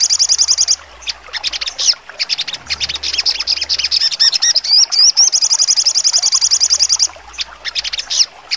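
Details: Crimson sunbird (sogon) in trotol style with sharp high shooting notes: rapid, even, very high trills lasting about a second, alternating with choppy clusters of buzzy chirps and a few rising whistled slurs.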